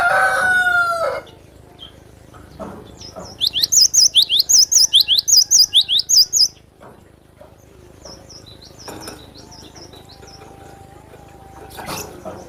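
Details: Cinereous tit song used to rouse other birds during song tutoring: a run of about fourteen quick, high, sharply rising and falling whistled notes in paired phrases, preceded by a rooster-like crow, with faint lower chirps afterward.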